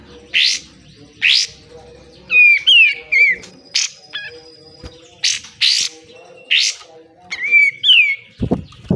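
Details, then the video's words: Pied triller (kapas tembak), besetan style, for training caged birds: harsh rasping bursts repeated roughly once a second, broken by short clusters of sharp descending whistled notes. "DAHSYAT sekali BESETAN KATEM, kapas tembak gacor, BUNYI KAPAS TEMBAK"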